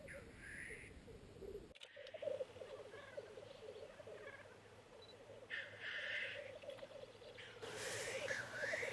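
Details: Courting male black grouse on the lek, fighting over females, recorded by camera: ongoing low bubbling coos with repeated rasping hiss bursts early, midway and in the last seconds.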